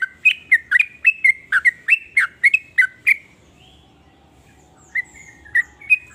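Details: Sooty-headed bulbul, locally trucuk, singing varied phrases said to provoke other bulbuls into song; a brisk string of liquid chirping whistles for three seconds, a quiet gap, then three sparse notes.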